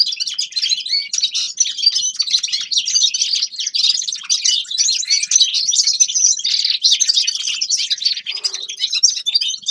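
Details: A long, unbroken stream of bright twitters, jingling notes and buzzy trills from a grey-crowned goldfinch, delivered quickly and steadily for almost ten seconds with a brief low rustle near the end.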